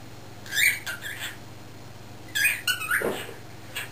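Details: A young male cockatiel, not yet a year old, caged outdoors in a driveway, talks in two short bursts of squeaky, speech-like mimicry, mid-pitched and raspy, with a faint low hum underneath.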